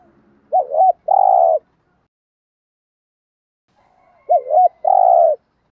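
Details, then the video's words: Spotted dove coo in the 'gù' and 'thúc' styles, used to stimulate wild doves: two phrases about four seconds apart, each a quick wavering double hoot followed by a longer, even, throaty coo, with nothing else audible. "tieng chim cu gáy gù và thúc"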